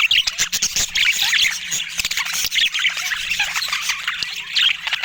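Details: Colourful pet budgies chattering nonstop, a thick mix of squeaky warbles, clicks and short chirps from several birds at once, with a few sharp ticking sounds.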